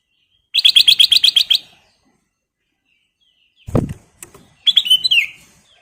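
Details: Golden-coloured sooty-headed bulbul (kutilang emas) singing vigorously: a fast run of about ten sharp, evenly spaced high chirps, a low thump, then a burst of bright descending chirps.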